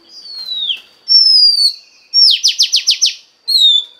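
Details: Oriental magpie-robin female song used to excite a male: long pure whistles sliding downward, then a rapid run of about six buzzy down-swept notes, closing with another falling whistle.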